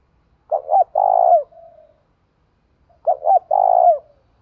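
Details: A spotted dove calls in challenge, in the thổ voice style. Two phrases sound, each made of doubled short hoots and then a prolonged, rough, vibrating coo trailing into a soft fading note.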